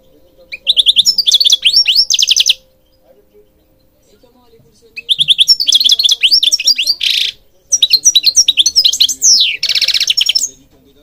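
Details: European goldfinch song for training and stimulating birds: three long, loud bursts of rapid, jangling twitter with buzzy and rising slurred notes, separated by a few seconds of quiet.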